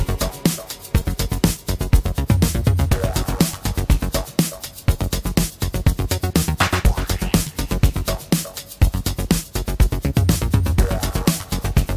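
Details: Electronic dance music with a steady pounding beat about once a second and synth tones, no animal sounds.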